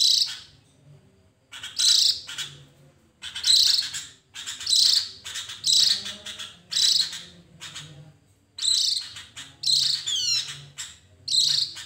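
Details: Javan grey-throated white-eye lure recording: high, rapid chattering phrases, each under a second long and repeated roughly once a second, with brief silences between.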